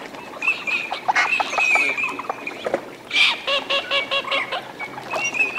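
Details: Eurasian teal flock in courtship display at a wetland in Aiguamolls de l'Empordà Natural Park, Spain, on 25 December: short high whistled notes repeat among a dense background of rapid chattering and clicking calls.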